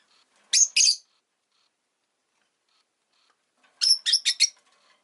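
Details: Rosy-faced lovebird kept as a pet: a quick double chirp, a pause of nearly three seconds of silence, then a burst of four harsh, rasping high chirps in rapid succession.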